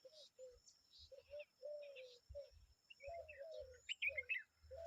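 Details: Common babbler parent and babies calling: low drawn-out slurred notes in uneven groups, a few sharp high chirps toward the end, and soft low knocks between calls.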